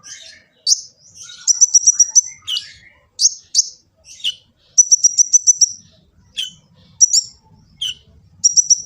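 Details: Kolibri ninja, the olive-backed sunbird, recorded on an Android phone in Gresik, East Java, singing a training master song: shrill chips, buzzy downslurs and several rapid high trills in quick succession, with faint low background rumble.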